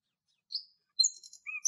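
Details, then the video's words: A brief burst of common nightingale song in Greek nature: a clear high whistle, then rapid sharp notes sliding between very high and lower pitches. No other sounds. "Αηδόνι Αηδόνια Κελάηδημα - Common Nightingales Fantastic Song"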